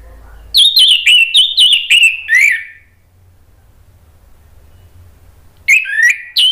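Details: Orange-headed thrush singing as a lure to prompt another bird to reply: a run of about eight loud whistled notes that step gradually lower, a few seconds of silence, then the phrase starts again.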